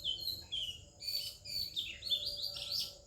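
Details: Morning song of an Oriental magpie-robin in India with other birds singing: a quick, busy run of bright whistles and twittering notes, rising and falling, loud and close, with a faint low rumble underneath.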